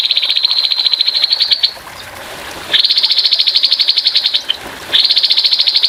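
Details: Rough 'tembakan' bursts of grey-headed babbler song, with a gentle water trickle between them: three fast, high, rattling trills of steady pitch, each about two seconds long, separated by short quiet gaps.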